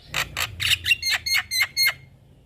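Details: Javan myna master song used to stimulate young mynas: eight harsh, squawking notes in quick succession, the later ones carrying a clear whistled tone, fairly evenly spaced about every quarter second.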